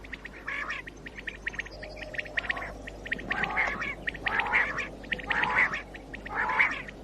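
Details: A common quail calling in the morning, recorded in 2019 in a hunting context, gives harsh, buzzy calls about once a second, with a faint steady hiss behind.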